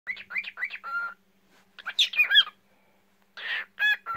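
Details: Pet cockatiel singing: short bursts of chirps and warbled whistled notes, some rising and some flat, separated by brief silences, with a faint steady hum underneath.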